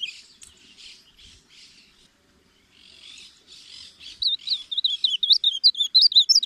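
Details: Faint hissing, blurred sounds fill the first four seconds, then an ultramarine grosbeak (reina mora) breaks into loud, quick, warbled song of high, wavering notes rising near the end.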